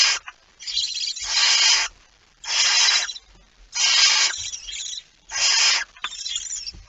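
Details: At a nest with prey on 23 September 2019, past midnight, a barn owl produces repeated raspy, wheezing hisses, about five bursts roughly a second apart, some starting with a short stutter.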